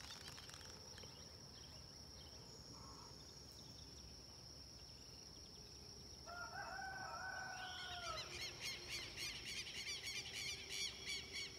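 Red-legged seriema: a loud call sweeps upward, then breaks into a fast run of sharp, yelping notes, over a steady high insect drone.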